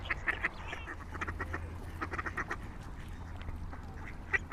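Swans give short, nasal honking calls in quick, uneven bursts, several a second, over a steady low rumble.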